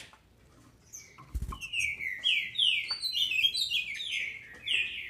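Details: Female green-winged saltator from a Brazilian captive breeder, singing to excite males: after a dull thump, a quick string of bright, downslurred whistles pours out steadily for over three seconds.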